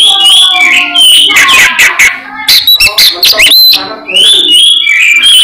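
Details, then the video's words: Albino Oriental magpie-robin singing a loud, fast, varied stream of clear whistles mixed with harsh, scratchy notes, barely pausing, and nothing else is heard. "suara burung kacer albino gacor istimewa"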